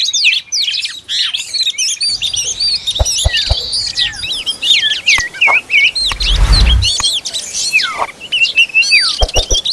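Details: Oriental magpie-robin feeding its young, with dense, overlapping high chirps and sweeping whistled notes throughout, plus a brief low rumbling thump around the middle.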